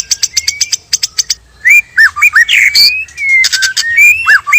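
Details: Song of a white-rumped shama pair, male and female, used to lure birds for trapping: quick ticking notes under a thin whistle, then looping slurred whistles and scratchy flourishes.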